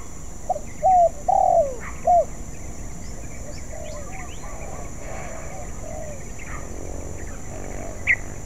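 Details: Spotted dove, still unskilled and practising its song: a short run of four low, mellow cooing notes, the second and third longer and sliding downward, followed by quiet rural background with faint distant calls.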